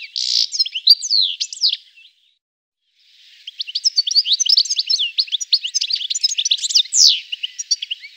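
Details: European goldfinch song recorded in the Llanura Manchega around Tablas de Daimiel and Villarrubia: a burst of scratchy twitters, then about a second of silence, then a long, fast, sparkling stream of high chirps and rising whistled slurs.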